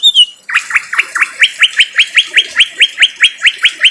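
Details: Greater green leafbird, a harsh-voiced training recording meant for cage birds: after a brief high whistle, a rapid series of loud, short rising notes repeated about three per second, steady and insistent.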